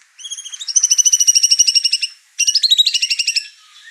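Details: Over-excited white-rumped shama, a bird that agitates others in the house; two fast rattling trills of evenly repeated high notes, the first lasting about a second and a half, a short pause, then a second trill.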